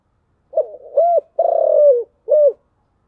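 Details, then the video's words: One complete chiêu gù phrase of a spotted dove in thổ voice: a fluttering opening, a rounded hollow coo, a long pulsing coo that slides downward, and a final short hoot. "cu gáy giọng thổ chiêu gù"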